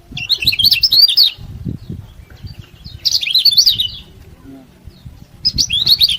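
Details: Yellow-bellied prinia singing to provoke rivals: three bursts of high, fast, chattering notes about every two and a half seconds over a steady low rumble of background noise.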